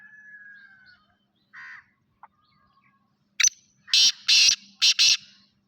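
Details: Grey francolin giving a series of loud, harsh, grating bursts in quick succession after quieter faint notes and a thin whistle at the start.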